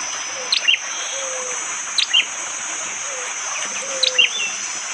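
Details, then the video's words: Bar-winged prinia in forest near Wonocoyo Village, Panggul, East Java, Indonesia, recorded by phone on a morning with rain, giving hard, sharp 'tembakan' shots: short high bursts repeated about every one and a half seconds over a steady high insect hum. "Tembakan burung prenjak jali!!"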